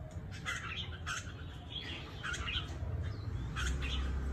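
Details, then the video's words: Red-whiskered bulbuls, trapped fighting birds from Cao Bằng, Vietnam: brief bursts of chirpy notes repeated in quick, irregular groups, with a low rumble that grows louder toward the end. "CHÀO MÀO BẪY ĐẤU VIP CAO BẰNG"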